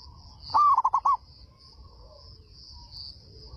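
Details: Indonesian local zebra dove with a big voice that draws answers from other doves: one brief song of a rising coo and four rapid, clipped coos, then quiet apart from a steady high hum and faint rumble.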